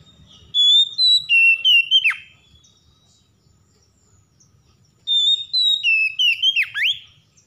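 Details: Oriental magpie-robin, stressed and reluctant, provoked into song: two matching phrases about four seconds apart, each a series of loud whistled steps closing with a steep falling slur.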